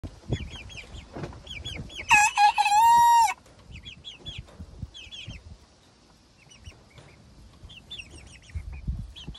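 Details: A young rooster crowing for the first time on a small farm, one short, strained, cracking crow lasting about a second, among scattered high chirps of other chickens and background rustling.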